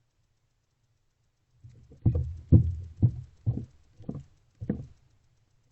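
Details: After a second and a half of near silence, six dull low thumps or knocks land roughly every half second, with no calls or voices.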